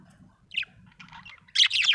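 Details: Budgie chirping in a happy mood: a single short chirp, a soft chattering stretch, then a loud rapid burst of harsh bright chirps to the end.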